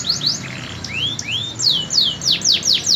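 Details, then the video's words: Canary singing a mix of quick downslurred whistles and slower rising-falling swoops, delivered in loud bursts over a soft low background hum. "Burung kenari prospek"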